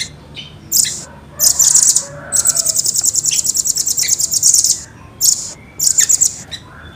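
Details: High, thin, rapid rolling trills from a velvet-fronted nuthatch (rambatan) in its clear, fast, tight style. Short opening bursts lead into a long even trill lasting about two seconds, followed by shorter bursts.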